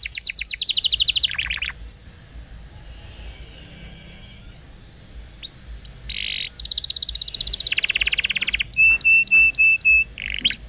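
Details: Canary song for training young canaries, opening with fast buzzy trills, a quieter stretch with a long thin whistle, then loud rattling trills and a run of short repeated chips.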